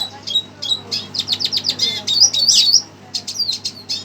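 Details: Red siskin agitated on hearing a played recording, giving a rapid, high twittering song of sharp chirps and buzzy slurred notes, with a bright rising-falling warble in the middle and steady low hum beneath.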